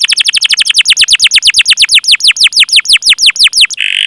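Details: Long canary chirp sequence meant to stimulate young or silent canaries to sing: a steady, fast run of sweeping downward notes, roughly seven per second, finishing with a short buzzy note.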